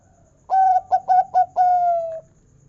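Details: Local zebra dove singing in the big 'kung' voice style, played to prompt other doves to sing. One steady coo, three quick short notes and a long drawn-out descending coo, all pure and tonal over soft background hum.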